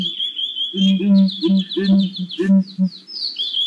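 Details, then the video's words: A Southern ground hornbill gives deep, resonant booms, about seven in a quick series over two seconds, with high chirping from smaller birds throughout. "Southern Ground Hornbill Birds"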